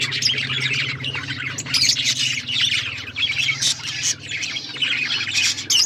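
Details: Several pet budgerigars squawking and warbling together, harsh chattering notes in uneven bursts over a constant low droning hum.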